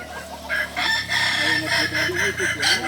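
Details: Balenggek rooster crowing at a crowing contest in Ampang Kualo, Kota Solok: a drawn-out, wavering crow rising and falling in several linked segments, amid background chatter.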